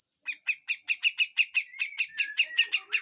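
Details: Besetan-style harsh song of a Grey-cheeked bulbul: a steady series of sharp, clipped chattering notes, roughly five per second, with a faint thin whistle threading beneath.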